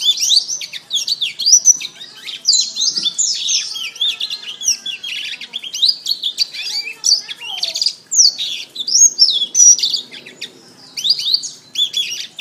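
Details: Kenari (canary) masteran training song, meant for tutoring kept birds: a long, unbroken stream of high, fast warbled notes, rolling trills and quick whistled slides, steady and loud throughout.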